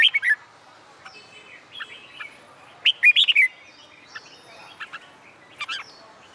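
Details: Red-whiskered bulbul song recorded for contest training on a sunny summer day: scattered short whistled motifs, one louder rapid phrase of clipped notes, and faint softer calls between.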